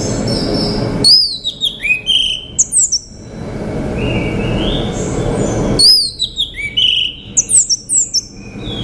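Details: Orange-headed thrush, a male, delivering rich whistled song in two bursts of rapid, varied notes, mixing high piercing slurs with lower fluty phrases, separated by a quieter stretch with soft background noise.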